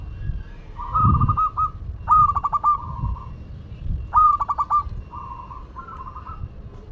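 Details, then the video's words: Zebra dove of a local Madura strain singing actively: short phrases of quick, bubbling coo notes followed by sustained level tones, several phrases in a row, with soft low thuds and rumbling in the background. "Perkutut Lokal Madura Gacor"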